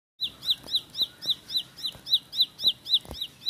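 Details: Bar-winged prinia (ciblek sawah or ciblek pari) singing a fast 'tembakan roll speed' style: a high, sharp, down-slurred chip repeated steadily about four times per second, clear and dominant over faint background noise.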